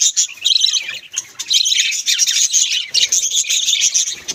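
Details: A group of domestic budgerigars keeps up lively high chirping and scratchy warbled chatter, many voices overlapping almost without a break.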